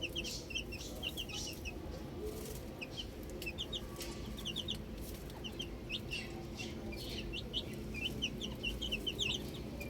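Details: Baby chicks outside give repeated high peeping chirps in small clusters throughout ten seconds, against a strong low rumble.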